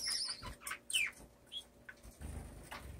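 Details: A male double-barred (owl) finch practising his mating dance on the cage floor, perches and feeding dish gives thin, high squeaky notes and short nasal chips at an uneven pace, with soft rustling and low cage thumps.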